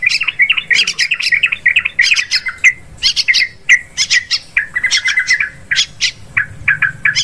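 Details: Rapid, chirpy chatter of yellow-vented bulbul from a lure recording for bird hunting in woods, rice fields and plantations: quick bursts of mixed bright and harsh notes with short gaps throughout.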